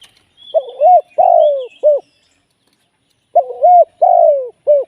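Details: Two deep cooing phrases from a Spotted dove serving as a live trapping decoy. Each phrase has a short note, a drawn-out falling note and a clipped ending, with a pause between them. Light chirping from other birds is audible early on.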